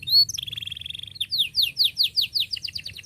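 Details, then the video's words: Canary singing, played to coach young birds in learning their song: one loud whistle, then a fast even trill, then a series of sharp rising chirps repeated about five times per second, over a faint low hum. "KENARI GACOR PANJANG cuit cuit Ngerol Rapat Paling Dicari Untuk Pancingan Kenari Paud Belajar Bunyi"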